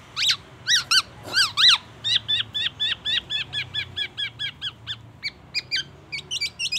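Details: Black-naped oriole singing a mimicked repertoire said to include oriental magpie-robin phrases and an ambulance siren: loud slurred harmonic notes, then a run of short, evenly spaced, high notes, ending in quicker hooked chirps.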